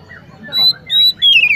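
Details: Oriental magpie-robin song: three clear, high, sustained whistles, the last longer and falling in pitch, with soft lower chirps between them.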